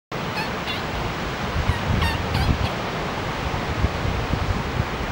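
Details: Laysan albatross pair reuniting at their nest for mating; last year's egg from their first known nest was abandoned. Short sharp clattering bursts come in irregular clusters over steady roaring surf and wind.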